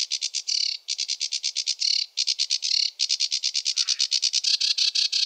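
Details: Varied, rushed sedge warbler song of steady clicking notes, about three per second, broken by short rasping buzzes and a low slurred note near the end.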